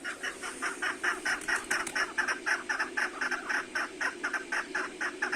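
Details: After a snowfall, chukar partridges in a large aviary call when the sun comes out; rasping, slightly squawky notes repeat about twice per second without pause, layered over a faint mechanical hum.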